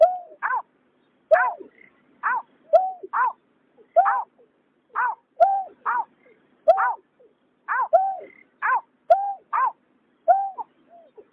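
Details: Paired male and female painted snipe and white-breasted waterhen from a 2021 recording: deep, rounded hoots interleaved with rasping, harmonic-rich notes, repeated irregularly about once a second, with no other sounds.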